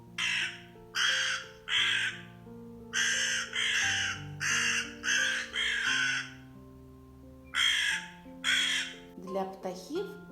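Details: A crow, presented as a winter bird, caws about ten times in harsh, grating calls, mostly in pairs and threes, about one a second, with soft music underneath.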